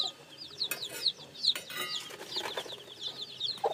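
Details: Newly hatched chicken chicks peeping: scattered high, thin, downward-slurred cheeps, irregular and overlapping, with a few sharp clicks and low knocks between them.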